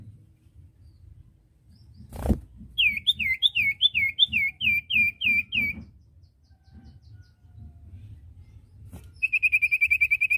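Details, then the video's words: Common iora, recorded as a training track to coax untrained captive irias into singing: a quick run of about eight clear, repeated whistled notes, each with a down-curling hook. A sharp click follows, then a steady rapid trill near the end, with low thumps beneath. "masteran burung cipoh bahan"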